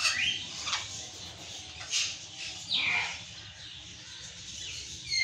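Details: Patagonian conure screaming: harsh, rasping downslurred shrieks, about four spaced calls over five seconds, with quieter background noise between them.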